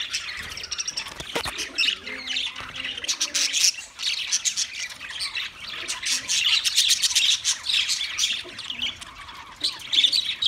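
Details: Continuous budgerigar chatter, a crowded stream of shrill chirps, clicks and rasping squawks that rises and falls in loudness, with faint lower tonal notes early on.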